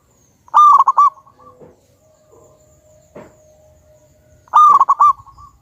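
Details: Lure song from a local wild-type zebra dove, loud and vigorous: two bursts of bubbling, pulsed cooing, each a rapid string of mid-pitched notes trailing into a brief held tone, about four seconds apart, with faint clicks between.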